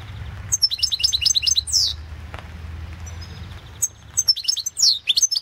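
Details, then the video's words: European goldfinch, Balkan form, competing in the 2016 online World Championship in Goldfinch Song: rapid liquid twittering with a loud descending slurred whistle, a pause, then another fast sparkling phrase. "Pesma štiglića"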